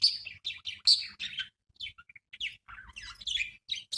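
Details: Budgerigar (Melopsittacus undulatus), chatter.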